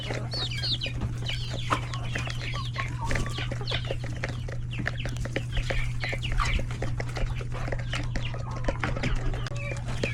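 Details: Feeding time among chickens, roosters and chicks in a coop; a busy, unbroken chorus of thin chick peeps and clucking, with a constant low hum.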